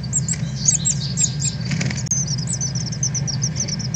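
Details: Northern Cardinals at fledging time, young birds leaving the nest and learning to fly, 13 August 2020, from a live stream: a quick series of high, sharp chirps repeated rapidly over a steady low hum.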